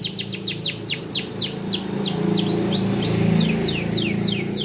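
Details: Tutor song from a small standard AF canary, bon colour, meant for young canaries: a steady series of falling whistled slurs, about four per second, some curving up, over a noticeable low rumble.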